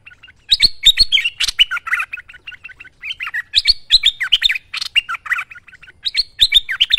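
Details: Merbah lekir bulbul singing busily as a master recording: dense, almost continuous chattering song of rippling whistles and slurred notes, swelling into three louder phrases.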